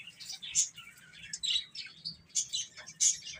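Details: Baby chickens feeding and playing, uttering short, bright, high-pitched peeps in separate bursts roughly every half second, over faint background hum.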